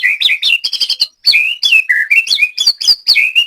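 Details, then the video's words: Continuous varied song of a captive white-rumped shama from Banyumas, Central Java, at a training session: rich whistled notes leaping up and down, scratchy between phrases, barely pausing. "BURUNG LATBER MURAI BATU"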